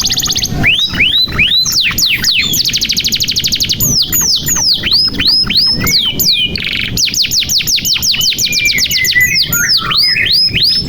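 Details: Canary in vigorous continuous song, aimed at getting young or silent canaries to sing: long chains of swept whistles, fine rapid rattling trills and a short buzzy burst, tempo near two or three notes per second and faster.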